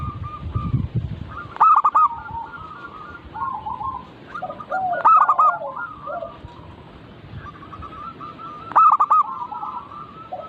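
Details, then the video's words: Chorus of local zebra doves used as a lure to prompt captive birds to sing: soft rolling coos layered together, broken by three loud stuttering coo phrases about every three to four seconds. "Burung perkutut lokal Pancingan agar cepat bunyi cepat manggung"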